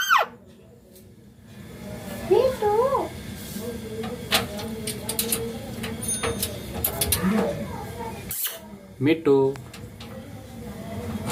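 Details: Green Indian ringneck parakeet talking: a few short warbled, speech-like phrases with wavering pitch near the start and again near the end, over steady background hum with some music.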